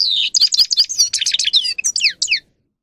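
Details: Grey-crowned goldfinch song, a recording meant to train and stimulate goldfinches to sing: rapid liquid twittering with high tinkling notes and buzzy slurred phrases, ending in a few down-sweeping whistles, with no other sounds.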